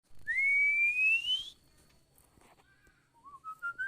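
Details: Female Oriental magpie-robin call played for training a caged bird: a long, clear whistle that climbs steadily for over a second, then a few soft, short rising whistled notes near the end.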